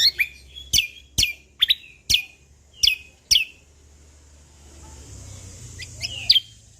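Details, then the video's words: Active song of the Sumatran leafbird, known locally as cucak kombo: evenly spaced sharp, downward-slurring whistled notes about every half second, fading into a quiet hiss before two final high notes. "Cucak Kombo Lombok Gacor Isian Alam Bikin Semangat Burung Bunyi"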